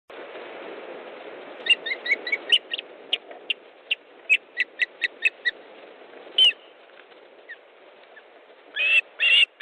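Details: Male osprey at a nest in Estonia on 18 August 2014 at 18:05, bringing fish to the female. Short, sharp, high whistled notes repeat irregularly about twice a second, ending in longer, louder calls.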